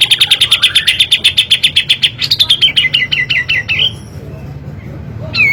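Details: Kapas tembak giving its rapid 'tembakan' shooting trill, meant to stir other birds: a long fast series of crisp high notes, about four per second, that gradually drops in pitch before trailing off.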